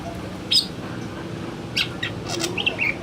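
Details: Male greater green leafbird singing in the afternoon: sparse, sharp high chirps and short slurred whistles, spaced irregularly over a few seconds against a steady low background hum.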